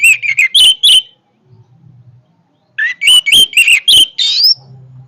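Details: Orange-headed thrush singing powerfully: two bursts of loud, rich whistled and chirping phrases, rapid and varied, with a rising slurred note ending the second burst and a quiet pause between.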